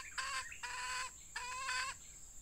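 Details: Red junglefowl hen working as a lure decoy during rainy weather, uttering three loud, harsh, harmonic clucking notes with short gaps between them.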